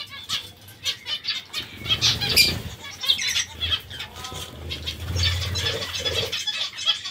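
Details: Steady stream of short, nasal, harmonic call notes from zebra finches eating vegetables, irregularly spaced, with fluttering wings and soft low rumbling throughout.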